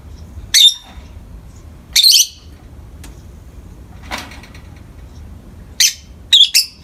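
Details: Pet peach-faced lovebirds, two kept together, chirping in the morning light: five short sharp broadband chirps spaced irregularly over about seven seconds, with quiet room hum between.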